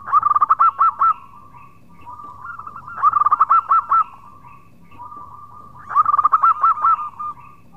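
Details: Local zebra dove calling its companions with an active khong-style song; three loud phrases of fast clipped notes, each about three seconds apart, linked by soft rolling coos.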